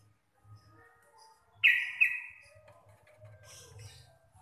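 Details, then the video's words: Local Javan yellow-vented bulbul in rapid 'gacor receh' ropelan song style, described as deep, clear and loud; a single harsh, buzzy chattering burst lasts under a second, with faint thin notes before it and a low hum underneath. "TRUCUKAN GACOR RECEH DURASI PANJANG"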